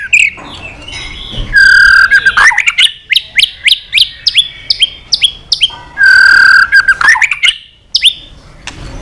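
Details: Long provoking song of a white-rumped shama, sung to incite fighting: a held whistle opening each phrase, then a quick series of sharp falling chips and whistles, the pattern repeated twice.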